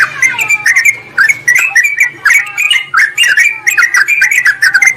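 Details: Sooty-headed bulbul calling a rival, used to lure wild bulbuls: scratchy, slurred chirps in short clustered phrases, repeated steadily over a faint low background hum.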